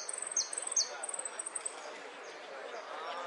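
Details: Jilguero, the saffron finch, delivering golpes, pitadas y prio song: a rapid high-pitched ticking trill with two quick downward-sweeping whistles early on, fading after two seconds into faint murmuring background noise.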